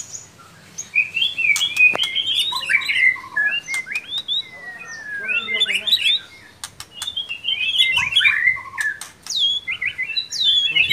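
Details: White-rumped shama singing in an online songbird contest, a varied stream of rich whistled and chattering phrases with upslurred notes, sharp clicks between phrases.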